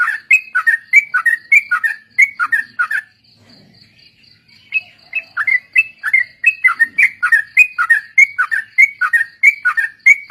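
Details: Sooty-headed bulbul (trucuk) song used as a lure to train other birds: quick bubbling phrases of liquid whistled notes, each dipping then rising, repeated steadily with a brief pause near the middle; a faint steady high tone runs behind.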